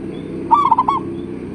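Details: Local zebra dove, a big-voiced bird used to lure other doves into answering: one short phrase of four or five fast, rolling cooing notes, clear over faint low background noise.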